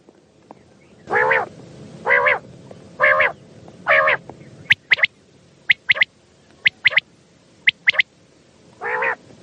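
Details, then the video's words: Night-time common quail call used as a hunting lure in Pakistan: four rasping, moaning notes about a second apart, then a run of sharp clipped double pips, and another rasping note at the close. "Raat Ka Batair |Hunting | की आवाज़ | Bildirçin səsi"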